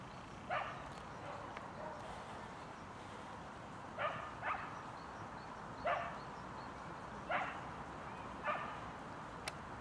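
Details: Common moorhen in Tivoli landscape park, Ljubljana, Slovenia, on 29 January 2023: short, harsh, bark-like notes at uneven intervals, about six in ten seconds, over a steady background hum.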